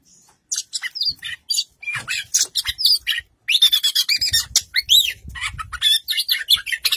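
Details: A male Oriental magpie-robin, in song form and on show, sings a loud, rapid stream of varied whistles, chirps and harsh notes, switching pitch constantly with barely a pause after the first half-second.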